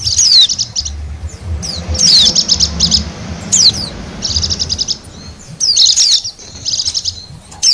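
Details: Wild Bali white-eye used as a lure for wild birds: bursts of high, rapid chirps and twittered trills, interspersed with sharp descending whistled notes, repeating in phrases with short pauses; low rumbling background noise.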